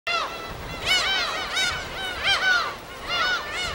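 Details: Wild gulls at their breeding habitat on an uninhabited island in Korea's West Sea, recorded on site: overlapping arched, harmonic mewing cries in bursts about every 0.7 seconds, several birds calling together over a quiet background.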